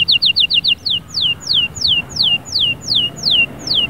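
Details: Canary song: a quick burst of short, descending whistled notes, then slower, longer downward-sliding whistles repeated about every third of a second. Clear and high-pitched, with faint low background hum.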